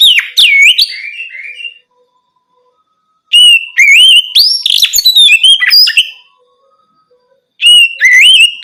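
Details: Oriental magpie-robin singing at night to encourage other birds to answer: three bursts of loud, rich whistled phrases with swooping slurs and rapid chirps, separated by silent gaps of over a second.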